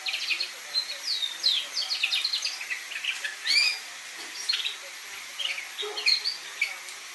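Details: A young red factor canary singing: a rambling warble of high twittering notes, quick upslurs and short trills, set against a steady background hiss.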